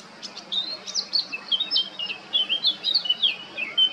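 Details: A male Eurasian blackcap sings at Baška, Krk island, Croatia, on 20 July 2022, giving a sustained, fast-paced warble of bright fluty whistles and twittering notes, varied in pitch and evenly loud throughout.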